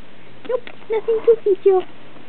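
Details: A female pet monk (quaker) parakeet playing under bed covers gives a quick string of six short, muffled, nasal chirps, each a brief squeak less than half a second apart, while a person talks to her.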